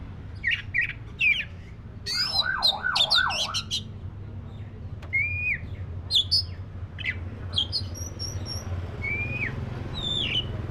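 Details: Black-breasted Oriental magpie-robin in varied song: scattered high chirps, then a rapid wavering trill, followed by short rising whistles and sharp clicks spaced through the phrase, with a constant low background hum.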